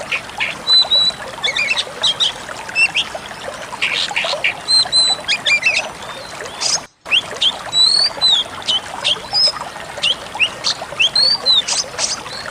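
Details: Pied Bushchat training song: brisk chattering and short high whistles running steadily, cut by a brief silent gap midway, then resuming with rising and falling whistled notes.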